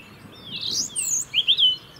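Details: European robin singing in the UK, where it keeps singing year-round to hold its winter territory; a short burst of high, thin warbled notes sliding up and down, then three quick bright twittering notes at the end.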